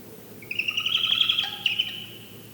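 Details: Barred owl giving distraction squeals during a distraction display: a drawn-out high squealing note with rapid quavering pulses, about one and a half seconds long, over quiet background.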